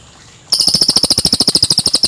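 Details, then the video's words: Cililin bird, clear original recording made as a training track for young magpie-robins: a sudden, fast, dry rattling trill of sharp high notes, roughly ten per second, running evenly after a short quiet start. "Masteran Burung CILILIN JERNIH Suara Asli"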